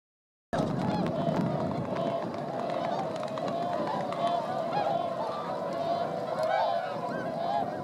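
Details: Flock of swans in flight over rice paddies at Motono, Inzai, Chiba, Japan, December 2014, where 905 birds gathered; a dense, continuous chorus of overlapping nasal honks and bugling notes with a low rumble of background noise.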